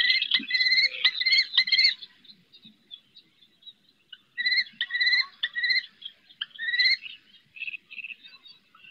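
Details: Female common kestrel calling her eldest chick during its first flights, from a roof at Riet Vell reserve, Ebro Delta: two bursts of quick, shrill, slightly rising notes, each about two seconds, with a quiet pause between.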